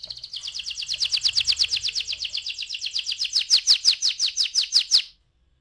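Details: Canary singing a rolling trill, known as ngeroll, played as a lure to get other canaries singing: a fast run of high, evenly repeated notes, about five per second, growing slightly louder and sharper before stopping abruptly.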